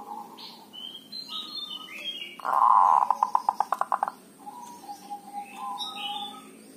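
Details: Local Javanese zebra dove giving dhuduk or kerot calls used as a lure to prompt other doves to call: a loud burst of rapid, stuttering pulsed notes lasting under two seconds, with faint chirps of other birds around it.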